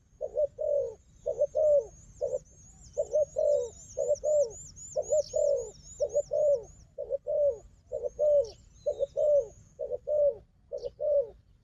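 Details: Combative wild dove calling near a strong decoy: a long run of soft low coos in quick pairs, short then longer and dropping, while a rapid high zigzag twitter runs through the first half.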